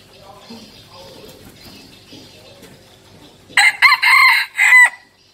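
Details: Decoy red junglefowl rooster heard after a few seconds of faint distant chirps, then a loud choppy crow of about one and a half seconds made of several clipped harsh bursts.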